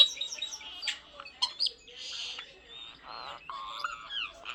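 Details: Talking common starling kept as a pet, babbling in a mix of squawks, thin whistles and buzzy warbled notes with a rising whistle near the end; no people heard.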